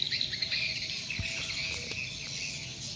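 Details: Swiftlets drawn in by a lure call and circling together; a busy stream of high, short twittering chirps overlapping throughout, a faint thin tone and low background hum below.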